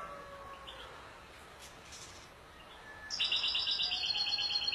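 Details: European goldfinch song. About three seconds of near-quiet with faint low whistles, then a sudden burst of fast, high, buzzy twittering notes that carries on to the end.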